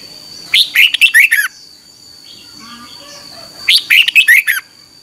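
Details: Red-whiskered bulbul singing competitive 'chè'-style morning song used to rouse other birds: two similar bursts of rapid, bright slurred whistles about three seconds apart, soft faint chatter and a steady high whine between them.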